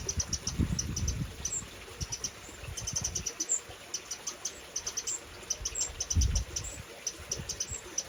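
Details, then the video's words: Spring 2023 in the UK, Eurasian wren adults organising fledglings: steady streams of high, clipped chip notes, several per second, grouped in short runs over intermittent low rumbling background noise. "Wren Birds UK Spring23 Parents trying to organise fledglings Babies."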